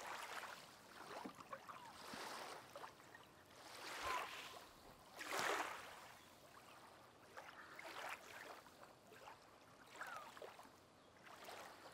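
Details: Only splashing and lapping water, like a paddle or small boat moving through it, with no animal calls.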